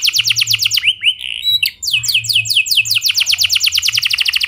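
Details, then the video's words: Canary producing clear rolling song meant to coax other canaries into singing: quick repeated high notes, a few slurred whistles midway, then a long rapid trill. "Pancingan Efektif Banyak Burung Kenari Cepat Ikut Gacor Dengan Suara Kenari Gacor Ngeroll Jernih Ini"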